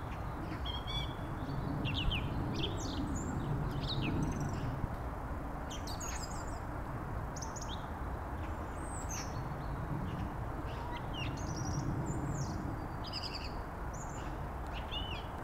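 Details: Song thrush singing a run of varied, high whistled and chirpy phrases, several repeated, over a steady low rumble of wind or distant traffic.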